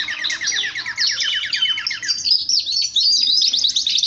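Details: Male canary song meant to stimulate singing and excitement, opening with a quick repeated chirping trill, switching to bright high whistles and a rapid twittering run of sweeping notes.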